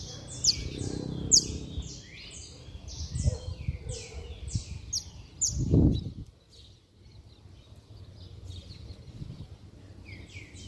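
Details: Saffron finch singing hard, a song used to stir up other saffron finches: dense runs of sharp, high chirps and slurred downward notes for six seconds, then quieter, with low background rumble and scattered thumps.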